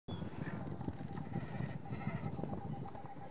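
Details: Great cormorants at a roost in the Harchies marsh, Belgium, give a steady mass of low, guttural croaks and grunts, some almost bleating, overlapping without pause.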